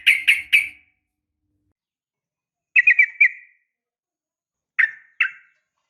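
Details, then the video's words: Sooty-headed bulbul female calling to males in the morning. Short bursts of three or four quick bubbly notes come in sparse clusters, with long silences between them, in a quiet setting. "suara panggilan pagi bikin emosi , semua burung trucuk terpancing ikut bunyi gacor dan ropel panjang"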